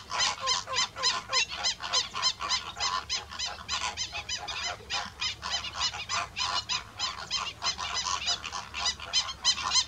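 Greater Flamingos give a dense, continuous chorus of nasal, goose-like honks, several calls a second, overlapping from many birds.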